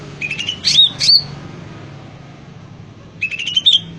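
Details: Greater green leafbird, described as in lively full song, giving two short bursts of sharp, chattering high notes with quick rising and falling whistles, separated by about two seconds of quiet background hum.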